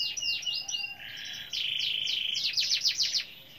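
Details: Lively canary song used to spur other canaries into singing: high whistled glides, then a sustained buzzy trill, then a quick burst of sharp descending notes repeated several times a second, all clear against a quiet background.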